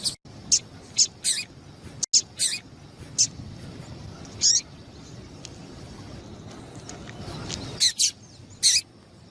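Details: Double-collared seedeater female giving her call used to make males sing: about ten short shrill chips, clustered at the start and end with a sparser stretch in the middle, brief dropouts between.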